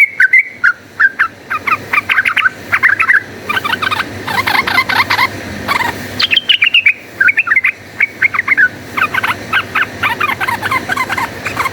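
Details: Yellow-vented bulbul in full voice with rapid, combative song, used as a lure to make bulbuls aggressive: bursts of chattering, gurgling phrases separated by short pauses, with some clearer whistled notes mid-way.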